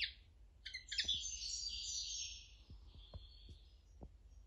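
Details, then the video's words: Common linnet song from young birds of 2020 singing with their tutor bird: a dense, high, buzzy twittering warble that runs almost continuously for about three seconds, with a few faint low clicks underneath. "Pardillo cantando mi maestro palos noveles novel del 2020"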